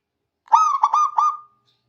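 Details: Local zebra dove in Indonesia singing to call rivals: one coo phrase of a long steady tone followed by two short pulsed notes, trailing off over about one second, with no other sounds.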